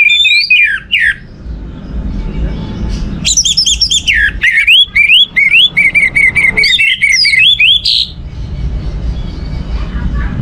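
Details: Orange-headed thrush singing to stimulate other birds: an opening whistled phrase, then a long fast run of repeated rising notes and mimicked chatter, ending in a rich slur, with faint low hum.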